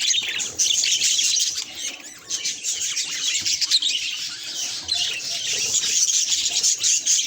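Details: Budgerigar responding to a mirror with steady, busy chirping: a high, grainy warble with quick squeaks, dipping briefly near the middle before resuming.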